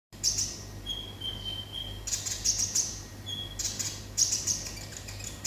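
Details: Olive-backed sunbird singing in a 'konslet' style: bursts of high, sharp chirps alternate with long, level, thin whistled notes. A steady low hum sits underneath.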